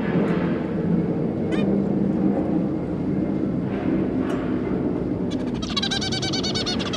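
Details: Zebra finch parents with their three juveniles: steady low background hum with a few isolated faint calls, then a quick cluster of buzzy, nasal calls rapidly repeated in the final seconds.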